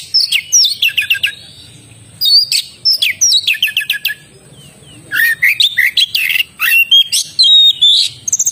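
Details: Oriental magpie-robin singing energetically: bursts of fast descending whistled notes, trills and clipped chirps in varied phrases separated by brief gaps, with a faint constant high-pitched tone behind.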